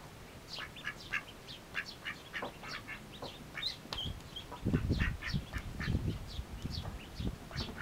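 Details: Mallard ducklings feeding hungrily give many high, brief upslurred peeps, dense and overlapping, with a burst of low splashing and dabbling noise midway.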